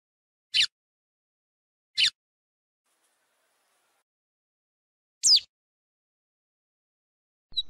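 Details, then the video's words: Lined seedeater (bigodinho) song from Brazil: four sharp, high notes that slide downward, spaced a second or more apart with quiet pauses between them, no other sounds. "OS 7 CANTOS MAIS BONITOS E MELHORES DO BIGODINHO"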